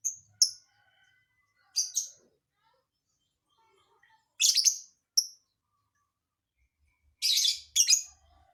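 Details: Lovebird with a strange, varied song: paired harsh chirps repeated in clusters, sharp rasping notes with pauses of a second or more between groups.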